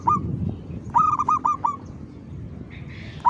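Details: Zebra dove, a caged bird raised up on a pole in the afternoon at 5 pm to see if it will sing. Short cooing notes with rising starts, a quick run of four near the middle, single notes at the start and end, over a low rumble and a brief hiss.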